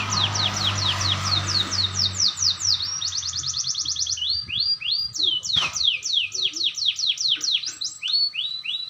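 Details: Canary learning to roll, with a clear voice: loud, high song of rapid downward-sweeping whistled notes, then a fast even trill and more repeated descending sweeps. A steady low hum runs beneath the first half.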